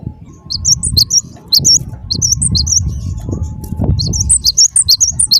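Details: Sharp, high alternating notes of a wingko-type gelatik batu, the Cinereous Tit, in scattered quick bursts, partly masked by loud low rumbling and knocking noise in the middle.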